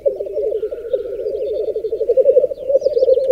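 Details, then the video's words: Displaying black grouse males at a raised-bog lek in the Berezinsky Biosphere Reserve: unbroken low rolling bubbling throughout, with faint higher calls above. "Уникальный тетеревиный ток на заповедном болоте"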